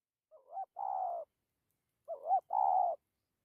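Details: Spotted dove coo in dặm with gù style: two phrases, each a wavering rising-falling lead-in followed by a long, level, mellow note, separated by a pause.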